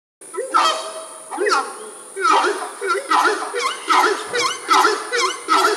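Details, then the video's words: A pair of Horned Screamers in the Amazon rainforest perform a display together, trading loud, honking, rich-toned calls about once a second over a steady high insect hum. "One of my favorite bird sounds in the world, that is a pair of Horned Screamers doing some kind of display together. Birds"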